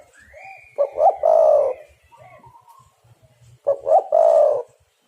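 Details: Spotted dove (derkuku/tekukur) calling, used as a lure to trap birds and make others call: two phrases about three seconds apart, each two short rising notes then a long, drawn-out mellow coo, with faint low pulsing rumble behind.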